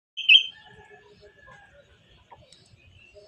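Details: Songbird singing in the morning: a loud whistled phrase, then softer scattered chirps and short notes, another bright note at the end over quiet rural background.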